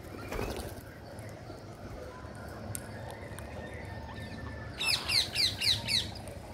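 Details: Green parakeet while feeding: a short run of five harsh chirped notes, each slightly falling, spaced about a quarter second apart near the end, after a long quiet stretch over low background rumble.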